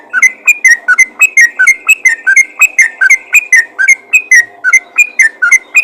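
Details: Yellow-vented bulbul calling to other bulbuls: a rapid, steady run of bright, bubbly chirped notes, each dipping then rising, repeated about three times a second with no pause.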